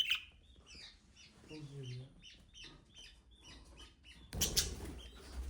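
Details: Budgerigar chattering in rapid, high chirps, with a brief lower voice in the middle and a sudden loud rustling burst near the end.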